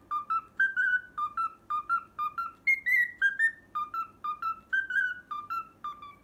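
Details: Cockatiel whistling the learned Pythagora Switch opening tune as a steady, rapid run of about twenty-five short whistled notes, with a brief rise to higher tones in the middle.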